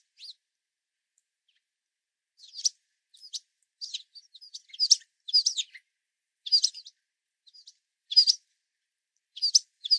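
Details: Hungry American tree sparrows and white-throated sparrows swarm a platform feeder during a winter storm, jumping on each other. They give short, high chips and twittering notes in irregular bursts, several calling at once with brief pauses.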